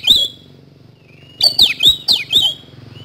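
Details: Oriental magpie-robin singing vigorously in a rapid 'nembak speed roll' style, used as a lure recording: a sharp whistled note, a pause with a faint thin whistle, then a burst of four loud clicking, swooping whistles.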